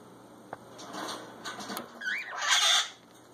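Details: Two cockatiels up to mischief: a short, bending whistled chirp, then a harsh, scratchy burst amid tapping and rustling.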